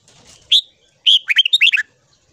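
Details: Morning song of a red-whiskered bulbul, used for voice training: one bright upslurred note, then after a short gap a rapid run of about seven warbling notes, clear and loud against a quiet background.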